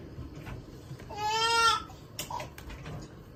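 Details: Call duck uttering a single loud, sustained, bleat-like nasal note with rich harmonics, about half a second long, then soft shuffling and tapping noises nearby.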